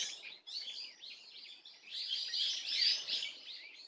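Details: Brief passage of swallow calling, 30 April 2024: thin, high chirps in a loose chatter that builds to a louder, busier twitter in the second half.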